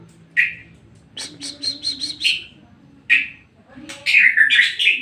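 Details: White-rumped shama song used to provoke another shama into singing: short whistled bursts near the start, a run of rapid repeated chipping notes, then a rich warbling phrase of varied whistles at the end.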